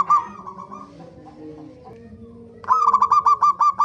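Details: Zebra dove song played as a lure for birds to sing: a brief run of coos, a quieter stretch of low murmuring tones, then a loud, quick series of clipped repeated coos.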